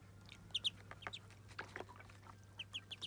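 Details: At their first bath, Muscovy ducklings give sharp, high peeps in pairs and short runs, mixed with light splashing and dripping water.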